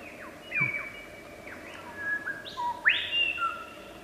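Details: Wild superb lyrebird, an Australian endemic known for mimicking other birds, human voices and surrounding sounds, gives a run of clear whistled notes: quick downward slurs and longer level tones, ending in a loud rising-then-falling whistle, over a steady low background hum.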